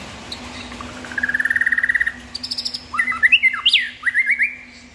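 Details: White-rumped shama song opening with a rapid, even trill of repeated notes, followed by varied loud whistles, sharp slurs and rising notes in a lively sequence.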